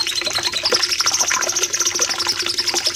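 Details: Bulbul, the cucak cungkok, in a master recording for caged birds: a steady, bright, high trill of evenly spaced notes climbing slightly, over faint lower chattering.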